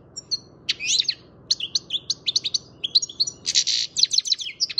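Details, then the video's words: A seven-month-old young European goldfinch from Macedonia sings a fast, tinkling run of high twittering notes mixed with buzzy trills and liquid chirps, with barely a pause. "Goldfinch Trnance 7 month young bird best song"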